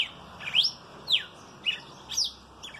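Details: Loud, clear red-cowled cardinal song: a quick series of bright whistled notes, alternately swooping up and down, about one note every half second, with little background noise.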